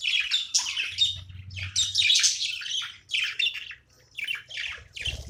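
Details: Budgie playing as a house pet: rhythmic, rapid chirps and scratchy warbles in short bursts, over a faint low hum.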